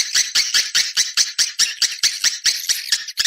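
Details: Swiftlet external sound from 2020: high, harsh chirping bursts repeated steadily about twice a second, each a short buzzy chitter, with brief gaps between them.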